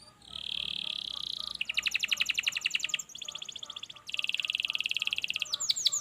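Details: Canary song played to encourage a lazy canary to sing: a steady buzzy trill, then fast pulsed rattles in separate bursts, a rolling trill, and a few sharp upswept notes at the end.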